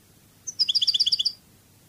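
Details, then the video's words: Cádiz-style Spanish goldfinch song: a single crisp trill of about twelve evenly spaced, high, ringing notes, opened by one thin introductory note. "CANTO DE JILGUERO CADIZ شريط لغة الحسون الإسباني قادس"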